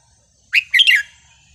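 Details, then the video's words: Wild-style song of a red-whiskered bulbul from the counting-flower line, one short phrase: a sharp rising whistle followed by a tumbling, liquid two-note warble, clean and loud against a quiet background. "นกกรงหัวจุกสายนับดอก เพลงป่า สำนวนเพราะๆ"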